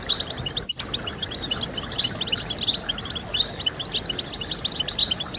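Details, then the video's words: European goldfinch song played to motivate goldfinches to sing: dense, rapid high twittering of short tinkling notes, almost continuous, with a brief gap near the first second over a soft steady background hiss. "Stimulating Birds with Goldfinch Sounds"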